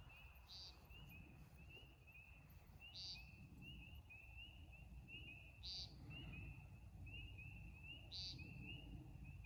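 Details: American woodcock, or timberdoodle, at night in a backyard during its flight-display season; short, buzzy beeps repeat about every two and a half seconds over a steady background of high, paired chirping trills and low rumble.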